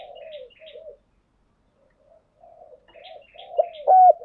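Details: Spotted dove cooing, a recording used as a lure to rouse and train decoy birds: soft, low hollow coos in two faint phrases separated by a pause, ending in a louder, clearer burst of coos.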